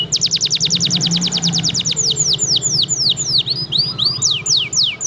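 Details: Canary of F1 line singing vigorously and persistently, offered as a tutor song for training other birds: a fast run of about twenty sharp high downslurred notes, then slower, broader sweeping whistles, over a steady low hum.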